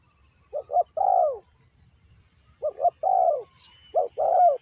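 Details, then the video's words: Spotted dove kept as a decoy to call wild doves, three hollow phrases of two quick coos and a long slurred one, evenly spaced, with soft background rumble. "chim cu mồi gáy gọi bổi"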